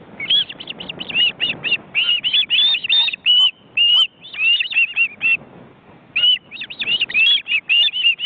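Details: Webcam at an osprey nest in an Estonian forest reserve, adults with large chicks flapping wings. Shrill whistled chirps in quick clusters, some longer drawn notes, with a short lull partway through.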